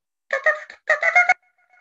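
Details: Pileated Woodpecker, a non-migratory year-round resident of North Texas, giving its distinctive far-carrying cries: two quick bursts of loud, ringing, nasal notes, each about four or five cries, with a brief pause between.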